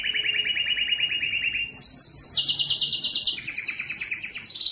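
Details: Belgian canary singing a steady mid-pitched rapid trill that jumps to a higher, brighter run of repeated notes, followed by lower rattling tours.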